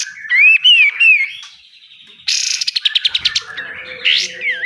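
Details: Pied triller song in 'besetan' style for training caged birds: a wavering whistled phrase, then a quick series of sharp repeated notes and a final rising and falling whistle.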